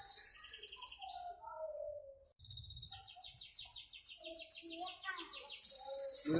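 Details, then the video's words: Canary song built from fast, evenly repeated trilled phrases, high rolling tours switching pitch every second or so, with softer lower warbled notes mixed in and a brief break midway. "Kicauan merdu burung kenari"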